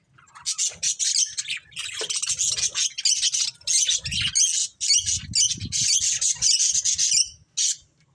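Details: Budgerigars chirping in loud, buzzy bursts of grating warble, phrases lasting about a second separated by short pauses, with soft low rubbing or fluttering sounds mixed in.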